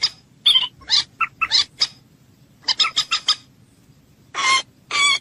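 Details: Moorhen sound for hunting: irregular sharp clicking notes in short groups, followed after a pause by two long harsh rasping squawks.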